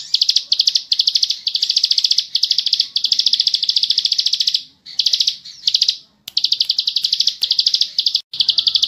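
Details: Bar-winged prinia, ciblek sawah, in long rapid ngebren song: sustained high buzzing rattles of clicked notes in phrases of one to two seconds with brief silences.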